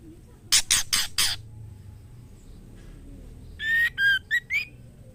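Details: Female white-rumped shama calling the male to mate: a burst of four harsh scratchy rasps, a quiet pause, then four short whistled notes ending on an upward slide.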